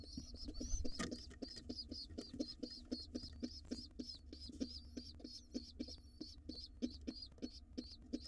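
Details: Wild pigeon nestlings in a nest box, fed a late meal before dark, give a fast run of thin, squeaky, high begging notes, several per second, over soft, rhythmic low knocks and thumps.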